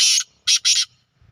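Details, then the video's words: Black francolin (kala teetar) calling in the evening in a village: three loud, harsh, grating notes, a longer first note followed by two short ones close together, then silence. "kala teetar ki awaz"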